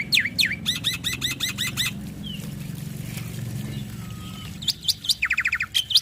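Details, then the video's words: Black-winged starling male singing, a master recording to prompt other starlings; opens with a down-slurred whistle and a run of looping buzzy notes, then quiet with faint whistles, ending in sharp chips and a fast trill. "Masteran Jalak Putih Gacor Full Isian Bikin Burung Jalak Lain Langsung Bunyi"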